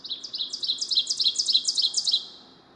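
An Ovenbird sings a rapid series of high, ringing two-note phrases, about four per second, growing louder through the song before stopping abruptly.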